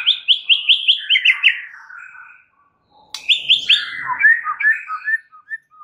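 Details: Training song of a white-rumped shama for a stressed bird: a fast run of six ringing whistled notes slides into softer warbling, a pause, then another quick bright series falling into varied chattering twitters.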